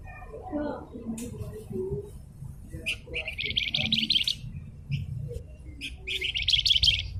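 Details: A vigorously singing blue-winged minla (flamboyan) on a masteran recording. Two short buzzy chattering trills follow brief sharp notes, with faint low murmuring sounds in between.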